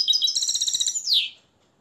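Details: Nest-raised Moroccan European goldfinch, hand-reared and trained in the limpio song style, delivers a bright high twittering run of rapid buzzy notes, then a sliding whistled flourish dropping to a lower note before stopping; quiet room.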